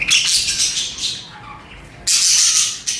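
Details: Pet budgies singing and chattering: bursts of shrill, rapid high chirps, a brief quieter pause with a soft low warble, then another sharp loud chirping burst.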